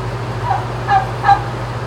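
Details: A rescued turkey calls in a barn at a farm sanctuary in upstate New York at dawn in July 2018: three short, clipped, mid-pitched notes in under two seconds, with a constant low hum behind them.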